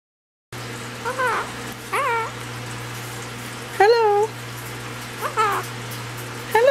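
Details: Monk parakeet: a male pet Quaker parrot repeats a short, rising-then-falling spoken "hello" in a high, slightly nasal voice; he loves saying hello.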